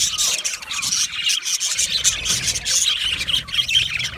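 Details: Chirping and singing budgies: rapid squawky twitters and rasping warbled notes overlap in a dense high chatter, with a brief quieter moment before resuming strongly.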